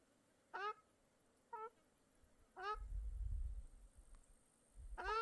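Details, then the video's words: Short and longer nasal mewing calls from birds at a small lake in Mongolia, scattered across the clip, with a stretch of deep rumbling noise in the middle. "Birds Singing by Small Lake | Жижиг нууранд нуурын шувуудын дуу"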